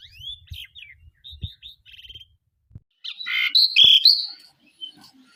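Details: Caged starling delivering a varied song of short whistled slurs and buzzy trills, ending in loud harsh rasping notes, with faint low thumps behind.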